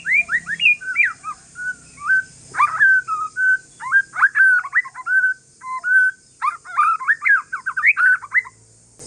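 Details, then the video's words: White-rumped shama from Aceh forest stock singing calmly to bait other shamas into song: near-continuous chain of whistled notes, steady held tones and rapid slurred runs, with faint low background noise. "Kicauan santai murai trah hutan aceh BUAT MURAI LAIN NYAUT"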